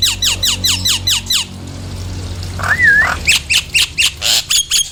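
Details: Nias hill myna calls meant to excite birds into song. A rapid, regular string of sharp, downslurred whistles is followed by a single smooth, wavy whistle and then several loud, harsh, high bursts.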